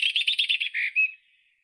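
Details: White-throated robin song fragment: a quick trill of about eight buzzy high notes per second, then a lower rasp and a short clear whistle fading into silence.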